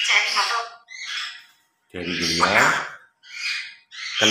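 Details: Morning play of two pet grey parrots mimicking speech, with short word-like bursts separated by silences, one longer phrase having a deep voice-like tone, others thin and raspy.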